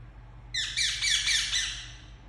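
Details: Indian ringneck parakeet, a pet bird indoors, letting out a burst of harsh, grating squawks with small downward inflections that run together for about a second and a half, backed by a faint steady low hum.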